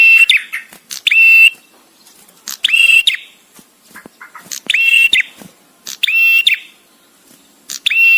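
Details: Male bar-winged prinia giving the 'guest' (tamu) song style, with pauses, used to tutor cage birds: sharp, buzzy ringing notes in short bursts of two or three, each burst followed by a silent gap; faint chips between.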